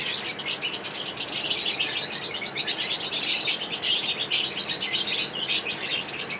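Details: Lovebirds chirping during their daily routine: a busy, unbroken stream of thin, high twittering notes from several birds, loud and dense the whole way through.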